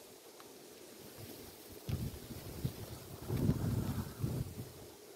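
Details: Low rumbling wind and microphone buffeting, with no animal calls heard.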